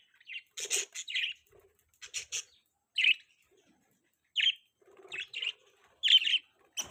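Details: Pet budgies making short bright chirps and scratchy double notes, spaced unevenly through several seconds with quiet gaps between.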